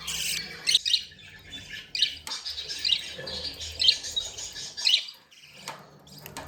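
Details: Playful, happy budgies squawking and chattering in rough high bursts about once a second, separated by short quieter gaps, with faint low background noise.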